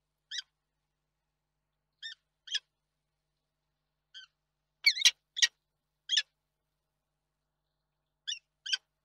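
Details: Peregrine falcon at a nest in Reda, Poland, on 31 March 2022, giving short harsh harmonic calls in scattered bursts, singles and pairs, with a louder cluster of three sharp chips near the middle; otherwise quiet background.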